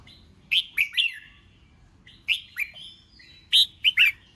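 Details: Red-whiskered bulbul singing during contest training, three grouped phrases of bright slurred whistles, each of two to three notes, spaced about one and a half seconds apart.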